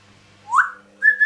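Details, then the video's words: Pet African grey parrot kept indoors, known for swearing mimicry, gives two clear whistles: a quick rising swoop, then after a short pause a steady level whistle held with a slight lift at the end. "african grey parrot swearing"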